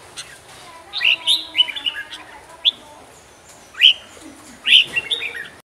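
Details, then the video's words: Red-whiskered bulbul singing short, bright warbled phrases of rich whistled notes, delivered in bursts about a second apart with brief pauses between. "Chào mào huế hót cực nhiều cực đỉnh"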